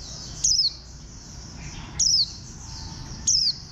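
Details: Bird 04, a green white-eye (khuyên xanh) with a compact bantam-like build, repeats a quick high phrase that slides down in pitch, three times at steady intervals of about 1.5 seconds. Faint chirping sounds between the phrases.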